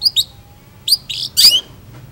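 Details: Long-tailed shrike singing actively: short, sharp high chirps in quick pairs, then a louder rasping burst with a thin whistled slur, over a faint low hum.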